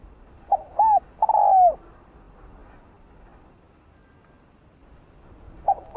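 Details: Spotted dove, a decoy bird giving its full cooing song used to stir up and lure other doves: a short low coo, then a longer, slightly falling coo, followed by about four seconds of quiet before another short coo begins.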